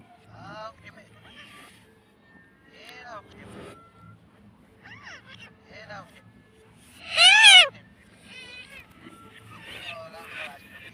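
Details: Talking parrot kept as a pet, saying "mummy": mostly quiet, soft chattering sounds, broken by one loud, harmonic, wavering vocal burst in the middle.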